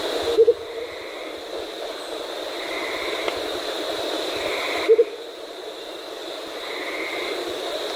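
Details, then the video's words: Andean motmot giving low, soft double hoots: two quick notes, heard twice about four and a half seconds apart, over a steady background hiss and a faint high whine. "Andean Motmot"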